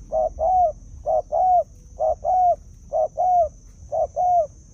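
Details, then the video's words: Repeated spotted dove cooing tied to decoy-bird trapping: five evenly spaced two-note phrases, short then long and slightly falling, steady rhythm near one per second with a light background hum. "Cu Gáy"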